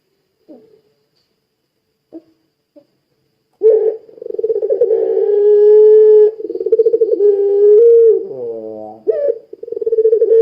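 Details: Barbary dove of the long-cooing pelung type, singing vigorously, recorded to prompt other doves to sing: three faint short notes, then after a pause a low rolling pulsed coo that merges into a long steady hooted note, a falling buzzy slur, and a renewed roll.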